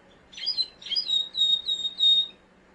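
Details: Mosaic canary singing a short phrase: a few high warbled notes followed by a run of clear, evenly spaced whistled notes, all bright and high-pitched, over a quiet background.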